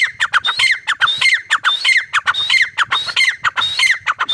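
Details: Teetar, or grey partridge, giving a steady run of loud, raspy repeated phrases about every half second. Each has a high whistled note and then a descending squeaky stroke, in a continuous rhythmic chorus.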